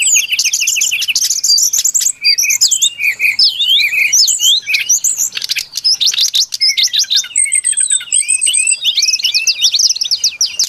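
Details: Lure song of a brown-chested jungle flycatcher: varied bursts of high twittering, short whistled slurs and quick trills, phrase after phrase with brief breaks over about ten seconds.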